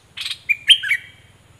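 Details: A cream-vented bulbul kept as a decoy bird gives a brief buzzy chatter, then a few quick, clear whistled notes sliding up and down, over a faint low ticking.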